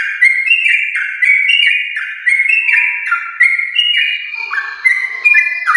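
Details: Yellow-vented bulbul in a long, rapid, continuous chattering song of a champion line, used to prompt caged bulbuls to sing: bright whistled notes stepping up and down without pause, with crisp clicking ticks above.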